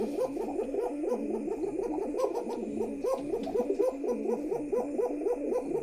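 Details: Pigeons in a pigeon house cooing in love: a dense run of low, throaty, rolling coos repeating about four times a second, overlapping as if several birds call at once, in a small indoor space.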